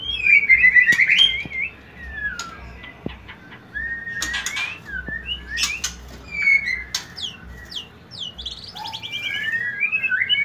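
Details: White-rumped shama lure song for prompting mating: scattered whistled phrases, rising slurs and a fast trill near the end, broken by sharp clicks and quieter pauses, over a low background rumble.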